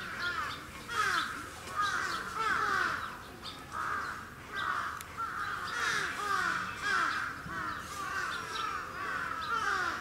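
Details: Captive Sarus cranes at Gunma Safari Park, Japan, on 10 November 2018 give loud, harsh, trumpeting calls in rapid overlapping bursts, several each second, with a faint background murmur.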